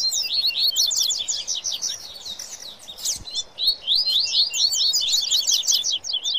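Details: Excited coleiro and papa-capim 'baderna': fast trilled bursts of sharp high notes, a brief lull around three seconds, then more rapid twittering.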